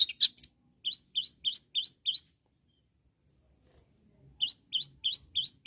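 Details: Long-tailed shrike singing to call rivals: a brief scratchy chatter, then two bouts of short rising whistled notes repeated about three times a second, separated by a silent pause.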